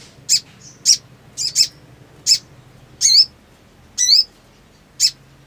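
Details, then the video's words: Black sunbird in breeding excitement: piercing high single chips mixed with longer twisting squeaky slurs, spaced roughly every half to one second. "SOGON GACOR BIRAHI TERAPI MACET !! FULL NGLEPER"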